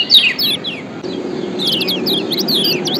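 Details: Kecial kuning white-eye, Lombok, in a lure mix of ciak calls: a brief burst of steep falling chirps, a near-silent gap, then a steady run of high, clipped twitters.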